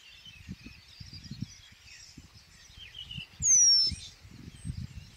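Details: A Eurasian penduline tit in springtime Żuławy Wiślane, willow country beside the Vistula, utters one piercing, thin whistle that falls slightly in pitch near the end; other small birds chatter faintly behind, with low wind noise.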